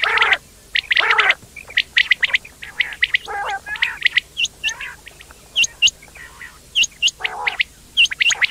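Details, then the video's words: Quail (batair) calling: bright clipped chirps and rapid squeaky notes mixed with a few nasal, harmonic squawks, irregular bursts over about eight seconds with no other sounds. "quail sound effect/quail bird sound/quail sound effect video/indan quail bird sound/ batair ki Awaz"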